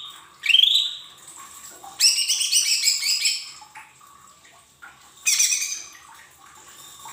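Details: Lesser green leafbird song used as a lure to get young caged birds singing quickly: a bright rising whistle, then a long burst of buzzy, crackling chatter, with a shorter harsh burst near the end over steady background hiss.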